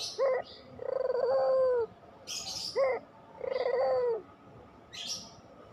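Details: Two phrases from a pelung Barbary dove, meant to spur lazy doves into song: a clipped upslurred note, then an extended vibrating coo falling slightly. Sharp high chirps from other birds are also heard.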